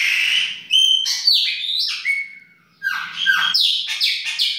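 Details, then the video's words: In a kitchen, a chopi blackbird sings its baianinho song: rich, clear whistled phrases that slide up and down, a brief pause, then a fresh burst of bright slurred notes, with a faint low hum. "PÁSSARO PRETO BAIANINHO DA UMA PALHINHA NA COUZINHA !"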